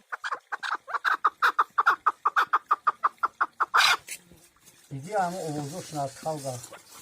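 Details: Partridge chicks reared indoors chirp in a fast, steady run of loud calls for about four seconds, then a wavering, harmonic voice-like sound takes over.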